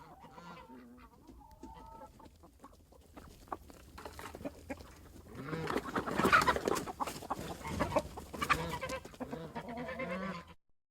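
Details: Close-up chicken in a barnyard: soft scattered clucks at first, then a loud flurry of harsh squawks mixed with wing-flapping and scuffling noise in the middle, easing back to a few clucks before stopping.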